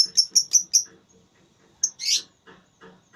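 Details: Lovebird in a singing contest: a quick run of five bright high chirps, a pause, a single chirp and a harsh rasping squawk, then faint soft pulses.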